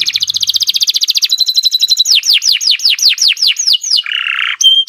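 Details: Caged Nusantara canary singing at length for training other birds: a rapid rolling trill, then about ten ringing down-slurred whistles in even sequence, ending with a harsh buzz and thin high notes.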